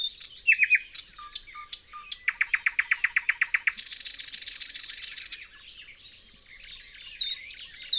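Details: A thrush nightingale (Luscinia luscinia), recorded in spring with a parabolic microphone, sings loud, varied phrases: sharp whistles, a fast run of about a dozen repeated clicking notes, then a dry, buzzy rattle.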